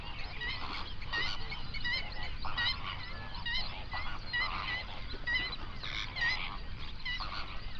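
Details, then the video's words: Flock of hundreds of flamingos on a national park lake in the Overberg region, South Africa, recorded binaurally around sunrise; dense overlapping goose-like honks and nasal calls with steady low rumble beneath. "Flamingo sounds | South Africa"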